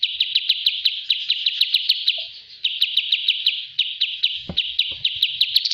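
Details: Training master recording of a kapas tembak bulbul: sustained rapid chirping, crisp repeated notes in long runs with a brief gap and one low knock partway through.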